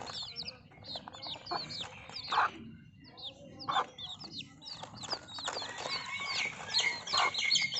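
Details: Baby chickens peeping, high descending cheeps scattered irregularly with short quiet gaps, plus occasional louder broadband knocks and rustles.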